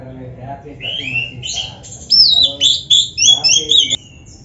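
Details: Oriental magpie-robin (kacer) in a masteran training recording meant to get birds singing; soft murmuring voices at first, then loud varied whistled phrases, rising and falling slurs and sharp chirps in quick succession.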